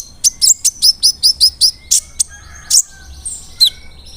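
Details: Brown-throated sunbird lure song to make other sunbirds more aggressive: a fast series of about ten bright, high, slurred chirps in an even row, then a few louder separate notes.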